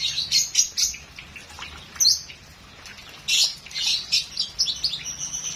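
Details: Rich song of a lovebird made of scattered, sharp high chirps and short squeaky bursts, some rising, with uneven gaps between them.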